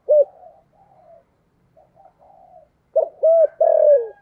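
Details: Cooing spotted dove, 'giọng thổ cúc dính' voice, played so wild doves come quickly: an opening coo, soft murmuring notes, a quiet gap, then three strong hollow coos ending in a long falling note.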